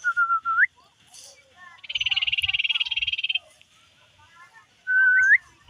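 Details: Common iora, tame and in full song, gives a short whistle with an upswept ending, then a dense buzzing rattle of quick pulses, and closes with another rising whistled phrase; faint knocks in the background.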